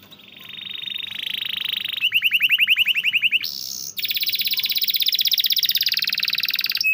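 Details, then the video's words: Canary song used to stimulate canaries that rarely sing: a steady buzzing roll, a series of quick upswept notes, a brief high tone, then a long, fast trill. "masteran burung kenari rajin bunyi cocok buat pancingan kenari susah bunyi/macet"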